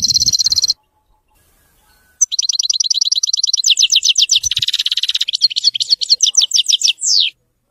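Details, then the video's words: European goldfinch performing Widani song: a steady high whistled note, a pause, then a long, fast series of repeated tinkling twitters with a buzzy middle stretch, closing on a falling slurred note. "تغريد ويداني لطائر الحسون"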